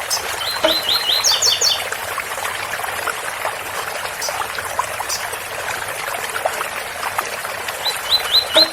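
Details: Double-collared seedeater singing the special Ouro Fino tui-tui song beside a water spout: a run of sharp rising whistled notes, then a faster, higher doubled series, repeated near the end over steady trickling water.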